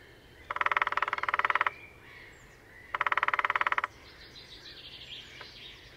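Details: Lesser spotted woodpecker drumming in display early on a sunny morning at Sandemar Reserve, Sweden, with a pair on territory, recorded with a parabola: two even mechanical rattling bursts about a second long, separated by a pause, with faint birdsong behind.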